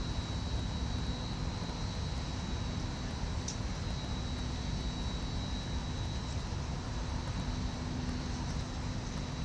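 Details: Loud urban drone of aircraft and traffic with a thin steady tone persists throughout, and no animal call is heard.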